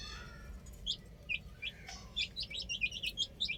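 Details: Chicks on a rooftop give sharp high peeps, sparse at first, then a busier run of rapid, overlapping chirps over steady low background noise.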